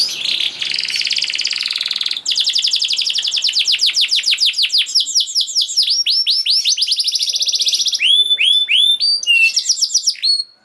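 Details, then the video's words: Canary song played to start a silent canary singing: a buzzy opening, a long rapid run of sweeping whistled notes, then paired crisp high notes. "Kenari Gacor Speed Rapet Ampuh Buat Kenari Macet Jadi Ikut Gacor Lagi || Voice of Canary"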